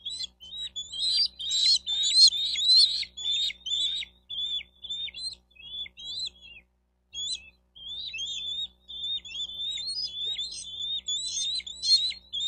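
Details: Bald eagle calling at its nest in Miami-Dade County, Florida, 4 June 2023, midday nest camera recording: long run of squeaky, chittering high notes, dense at first, briefly pausing, then resuming in rapid bursts.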